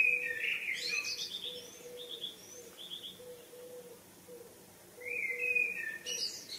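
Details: Birds singing in the evening: a varied series of quick chirps and short whistled phrases in the first half, then a louder warbled phrase near the end. A soft, regularly pulsing low tone continues beneath.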